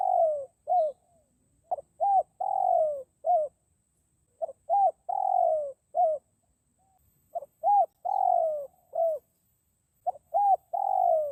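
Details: Lure recording of a spotted dove for calling in wild forest birds: soft cooing phrases repeated about every three seconds, each a quick double note, a rounded coo and a drawn-out descending coo. No other sounds.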